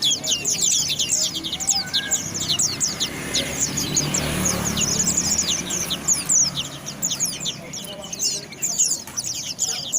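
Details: White-eye singing a fast, continuous high twittering of short sliding chirps and trills that overlap densely throughout, with a faint low murmur underneath.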